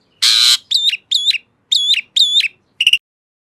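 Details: A harsh noisy burst followed by five similar whistled notes with dipping tops and a final quick trill, clear against silence, from an Asian pied starling.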